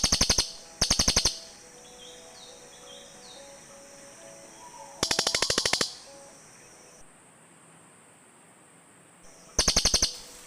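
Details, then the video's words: Cililin birds calling to each other, a forest bird-luring recording: four volleys of rapid, harsh ticking chatter spread over ten seconds, with long quieter pauses and faint distant tones between. "SUARA BURUNG CILILIN"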